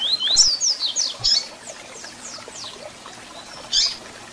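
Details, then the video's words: Double-collared seedeater song and calls meant to stir captive birds: a fast opening burst of high, slurred whistled notes, then a few fainter downstrokes and one sharp chip near the end, with steady background hiss. "Canto de Coleiro com Piado para Foguear e Esquentar Seu Coleiro ou Papa-capim"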